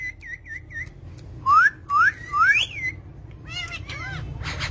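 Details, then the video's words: Talking parrot giving three small looping whistles, then three loud rising whistled notes about half a second apart, followed by softer twisting squawks, over faint background hum. "Parrot Talking"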